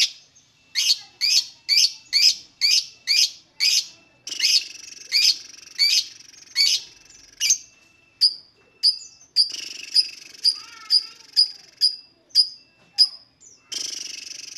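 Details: Lovebird singing, played to coax other lovebirds to sing: a long run of loud, sharp chirps, later thinner clipped notes about twice a second, closing with a short hiss.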